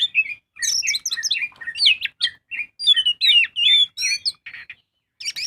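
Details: Magpie-robin in full, lively song, played as a lure to get birds singing: dense bursts of varied chirps and slurred whistles, twittering runs alternating with clear falling notes, ending after a short silence with one more sharp phrase.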